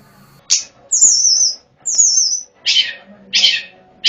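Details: Sunda robin recorded as a lure for wild birds: long, high, thin whistles sliding gently downward, alternating with short harsh buzzy bursts.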